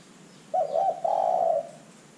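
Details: Zebra dove call used as a lure to make other birds call: a soft, mellow coo with a quick wavering opening followed by a longer steady purring note, about one second in all, over quiet background hiss.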